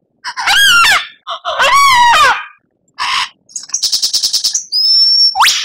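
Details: White-rumped shama (murai batu) song from a masteran used to train captive birds, with rich isian, tembakan and kretekan: loud ringing whistled phrases with sliding notes, a short rapid buzzy trill, then high pure whistles rising sharply at the end.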